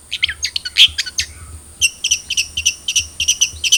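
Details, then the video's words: Long-tailed shrike of the trotol type, sound used to coax a caged bird into singing: scattered sharp high chirps and a short whistle, then a quick series of thin ticking notes repeated rhythmically. "Pancingan Cendet Trotol Agar Cepat Bunyi"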